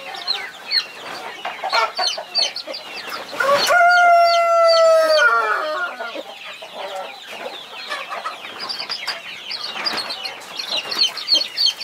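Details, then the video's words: Mother hen guarding her 21 baby chicks gives a drawn-out, harmonic, slightly descending call lasting about two seconds, amid rapid low clucks and a constant backdrop of shrill chick peeping. "Mother hen protecting her 21 Baby chicks"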